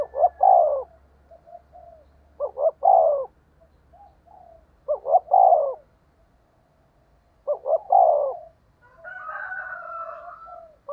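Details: Spotted dove decoy call, a fast 'thổ đồng' style urging coo: four phrases, each two quick short notes then a longer mellow coo, repeating about every two and a half seconds, followed by a higher, wavering, buzzier sound at the end.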